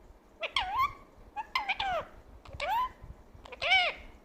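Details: Pet talking parrot calling out "mummy" and "roti" indoors: four short, speech-like harmonic utterances, each arching up then down, spaced roughly one second apart, in a quiet room.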